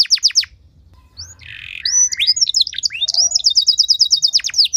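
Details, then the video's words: Canary giving a training song meant to spur other canaries into song: a few sweeping notes, a harsh buzzy patch, then rising slurred whistles leading into a fast even trill, with faint low background rumble. "Materan Burung Kenari Lagu Istimewa! Cengkok Mewah Bikin Kenari lain Ikut Terpancing jadi Gacor"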